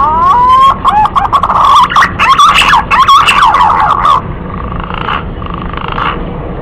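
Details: A male green pigeon calls for a female in this lure recording: a rising whistle opens into a loud, rapid series of bubbling, modulated whistled notes, fading into softer hissy bursts after four seconds.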